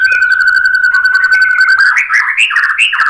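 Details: White-rumped shama lure song, meant to provoke other birds into answering and showing off their learned material. A long steady whistled note with even buzzy pulsing, then a burst of rapid varied rising and falling notes.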